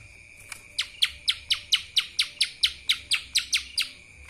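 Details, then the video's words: Lesser green leafbird giving kapas tembak-style song: a long run of about fourteen bright, down-slurred chirps at a fast, even pace, with a constant thin whine behind. "CUCAK ijo mini Fulll suara KAPAS TEMBAK...!"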